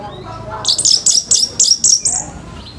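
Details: Orange-headed thrush in rough morning song to provoke other birds: a quick series of seven high, sharp chipping notes at an even pace, each a bright two-part tweet, over a quiet background.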